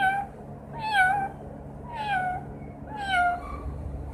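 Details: Green parrot, a pet that sings, whistles and speaks, imitating a cat: three drawn-out, falling, meow-like calls about one second apart, each harmonically rich and fading at the end, indoors.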